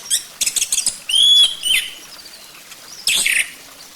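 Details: Orange-headed thrush lure song meant to get a bird singing: quick clicking chips, a clear rising whistled note, then softer slurred notes and a final burst of harsh chatter.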